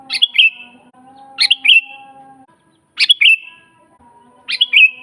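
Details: Lively sooty-headed bulbul song used as a training master and lure for wild birds: four brief chirpy whistled phrases, each a quick rising note dropping into a fading tail, spaced roughly every one and a half seconds, with faint low hum beneath.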